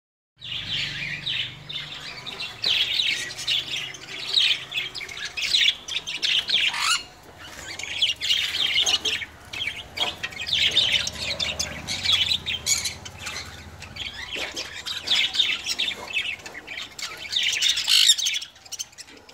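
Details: Pet sun conures at home, friendly and cuddling with a cockatiel: dense harsh screeching squawks, high and rasping, in near-continuous bursts with short pauses around seven seconds, some faint low hum beneath.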